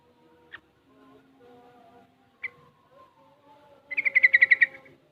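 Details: Sooty-headed bulbul aged six months, practising ropel and garuda styles; two isolated sharp chips, then a fast rattling string of about eight bright notes, with soft low tones in the background.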